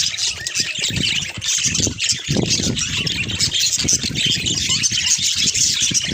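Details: A budgerigar colony on a farm fills the air with a constant high, scratchy chatter of chirps and warbles.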